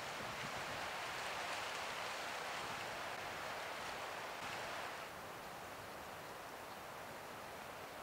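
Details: Steady broadband rushing noise like wind or surf fills the whole recording, easing slightly after five seconds, with no animal calls.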